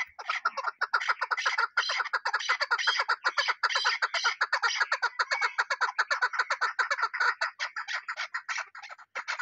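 A chukar partridge gives a fast, continuous run of harsh clucking chuk notes, packed tightly together and rising and falling in loudness for the whole stretch.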